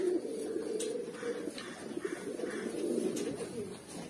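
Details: Deep, bubbling coos run almost without pause from a collection of Mookee pigeons in red, black, yellow and silver, with scattered clicks and light knocks in the background.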